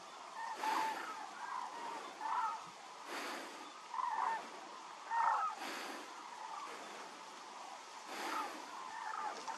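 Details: Hooded cranes flying over Cheonsu Bay, Seosan, give hoarse, trumpeting calls in overlapping bursts about every second or two, with gusts of wind rushing through.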